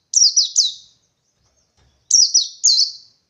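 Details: Forest white-eye hunting for a rival, singing the '123-beat' style: a two-note high, shrill phrase, then about a second of silence, then a three-note phrase of falling whistles.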